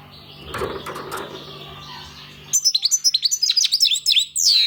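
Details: After a stretch of rustling and broadband noise, a European goldfinch launches into a fast, tinkling twitter of high chirps and upsweeps that continues to the end.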